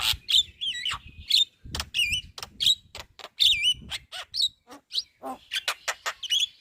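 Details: Javan myna chattering as a master recording for other birds: sharp squeaky whistles that twist up and down, interleaved with harsh buzzy bursts in quick irregular succession.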